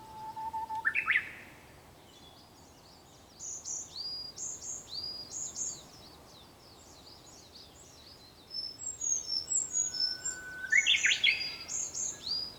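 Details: Japanese bush warbler singing at sunrise on 4 May 2021, filmed just before 5 a.m.: a long steady whistle followed by a rising flourish, answered later by a similar phrase, while other birds keep up high, rapid chirping in the background.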